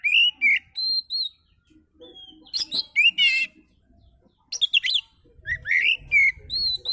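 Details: Oriental magpie-robin singing a relaxed song used as a lure for other birds: varied whistled phrases, slurred rising and falling notes with sharp harsh chips and a buzzy rattle between quiet pauses.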